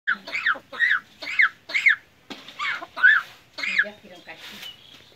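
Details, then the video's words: Common myna in Bangladesh imitating a human cough: about seven harsh, hacking bursts, roughly two per second, followed by fainter chatter. "Common myna's wonderful imitation of human cough sound"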